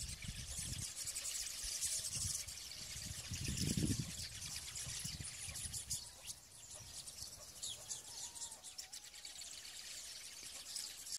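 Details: A large flock of rosy starlings seen at Musinci in Pelagonia, North Macedonia, keeps up a dense, continuous chatter of harsh, scratchy chirps, with low bumps of wind or handling noise early on.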